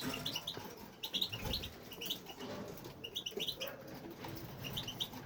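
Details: A male European goldfinch kept in an aviary sings in quick, tinkling bursts of high twittering notes in short clusters, with fluttering wing sounds and low background rumble; once he starts singing he doesn't stop.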